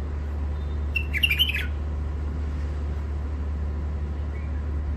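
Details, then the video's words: Sharp song from wild-caught birds in first moult, from the Mandali crossing area: one brief, rapid burst of bright chattering notes near the start, then only a constant low hum. "تغريد مخاليف وحشيات اول عزله كاع منفذ مندلي طيور حاده"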